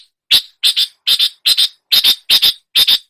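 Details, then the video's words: Long-tailed shrike imitating other songbirds: seven harsh, doubled squawking notes, each pair loud and clipped, spaced roughly every 0.4 seconds in a clean recording with no other sounds. "masteran cendet menirukan semua jenis burung kicau"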